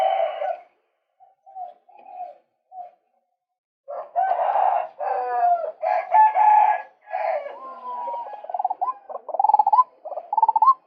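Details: Male White-breasted waterhen voice used for luring birds. A few soft notes lead into long harsh, raucous croaking phrases, ending in rapid rising stuttered notes repeated quickly.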